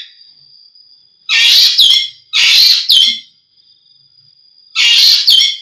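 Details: Green magpie giving three loud, scratchy calls, each tailed by a short falling whistle. Spacing between the calls is irregular, and a steady high whine sounds throughout.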